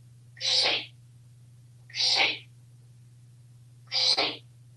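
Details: Talkative African Grey Parrot indoors in Texas voicing three hissy, high-pitched bursts spaced about one and a half seconds apart, each brief and breathy, over a soft hum.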